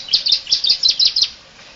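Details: Canary delivering a varied master song for tutoring other birds: a brief burst of about eight bright, high, rapid chirps, then quiet.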